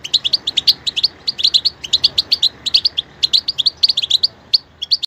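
European goldfinch singing a fast, continuous run of bright tinkling twitters and short buzzy notes, high-pitched and liquid, with no other sounds.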